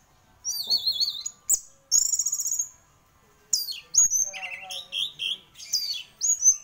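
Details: Orange-headed thrush, champion gacor songbird, opening with a wavering whistled phrase, then a buzzy trilled burst, followed by energetic mixed whistles and warbles at varied pitches.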